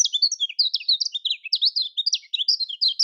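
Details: Lombok-type kecial kuning, or lemon-bellied white-eye, in a fast twittering song meant to coax silent birds to sing: a non-stop stream of sharp, high, zigzagging chirps and quick whistles.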